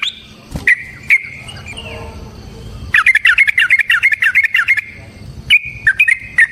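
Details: Sooty-headed bulbul singing in ropel variasi style, with nrotok and ngecuplik variations, played as a lure to set other bulbuls singing: a couple of whistled notes, a rapid chattering run of bubbling whistles, then a few clipped closing notes.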